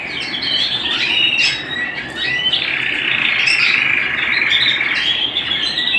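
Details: Canary singing at home: a continuous dense warble of rolling trills and whistled slides, shifting pitch every second or so, over a steady background hiss throughout.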